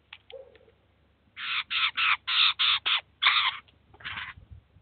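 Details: Eurasian jays, an adult with chicks, at a cheese feeder in the city of Kaluga, Russia, where the adult feeds and teaches its young; a rapid series of harsh, rasping bursts, about seven in a row, then a pause and one more, with faint softer notes before.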